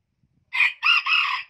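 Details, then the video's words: High-voiced hybrid junglefowl crowing, a bird claimed as the highest-pitched crower of Vietnam's central region and Central Highlands. One short opening burst is followed by a sustained, slightly dipping double phrase. The background is quiet. "Chú Gà Rừng Lai Có Giọng Gáy Cao Nhất Miền Trung - Tây Nguyên"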